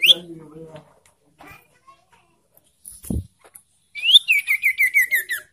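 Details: Ashy tailorbird provocation call for birds in breeding condition. Faint low mumbling and a thump come first. Then one upward whistle is followed by a quick descending series of about eight bright, clipped notes.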